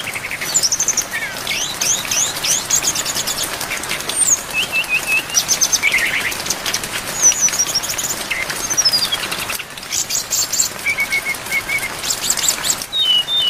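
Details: Training song of a brown-chested jungle flycatcher, full-filled, mixed with rain: a rapid run of varied high whistles, sweeping slurs and short repeated chips, with brief pauses, all over constant rain hiss.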